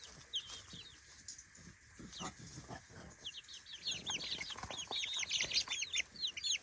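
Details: A group of three-week-old chicks curious about their daytime pen, quiet at first and then breaking into quick, high, downward-curving peeps that grow louder and more crowded toward the end.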